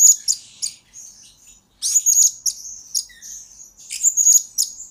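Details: Blue-crowned hanging parrot song kept as a lure and master recording for training birds: very high ringing chirps and buzzy trills in uneven bursts, linked by thin sustained high tones.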